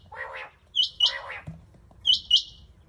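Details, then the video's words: Rain quail recorded 21 July 2022 giving sharp, high doubled notes, two pairs about a second apart, with lower harsh chattering bursts between them. "Rain quail sound , chinga batair ke awaz"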